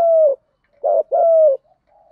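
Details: Spotted dove luring wild doves with its cooing; the tail of one coo, a pause, then a complete phrase of a brief throaty note and a longer smooth coo dropping in pitch.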